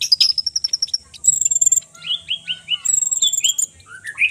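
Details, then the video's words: Konin song played so that listeners' own konin birds respond: a lively, high mix of fast sharp notes, buzzy rattling trills and a series of clear rising, slurred whistles repeated several times, with steady faint background hiss. "konin Rajo dan konin Edan bikin konin koninmu emosi"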